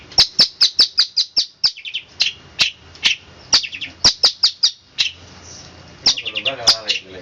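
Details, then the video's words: Long-tailed shrike delivering a rapid 'roll speed rapat' song, a dense run of piercing high chips about two to three per second, broken by short trills and a brief pause midway. "cendet roll speed rapat"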